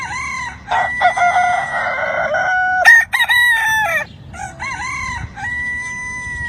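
Several roosters crow over one another, giving long, strained, drawn-out notes that rise and then fall away, with one crow ending abruptly before others resume.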